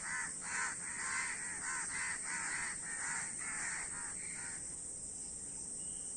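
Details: A crowd of crows giving loud harsh caws in a rapid series that fades after four seconds, leaving only background hiss.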